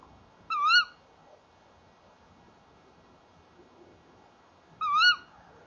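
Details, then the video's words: Tawny owls, male and female, calling at a nest box at 19:31 on 30 January 2014; two short, sharp, rising harmonic calls roughly four seconds apart over a steady low background rumble. "Bosuil M en V roepen samen bij de kast"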